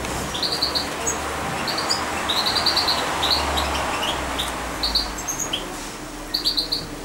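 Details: Young European goldfinch, about two months old, hand-reared with a syringe and kept near its keeper: short high twittering chirps in small clusters, irregularly spaced, over steady hiss and low rumble.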